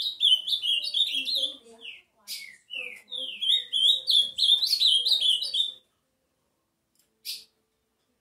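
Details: Ultramarine grosbeak singing repeated warbled phrases of sliding whistles, with short downslurred notes between them and a brief noisy sound near the end.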